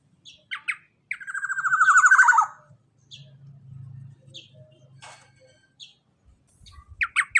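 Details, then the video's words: Black-naped oriole song used as a lure to prompt a quiet bird to sing: a loud descending slurred whistle with fast rattling overtones, followed by short sharp chips and notes, with a faint low hum beneath. "KEPODANG EMAS GACOR SUARA COCOK BUAT PANCINGAN BURUNG KEPODANG YANG MALAS BUNYI"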